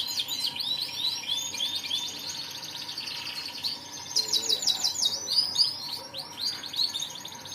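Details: Canary in full song, with a rapid high rippling trill followed by a run of loud, slurred, descending notes and quicker chattering phrases.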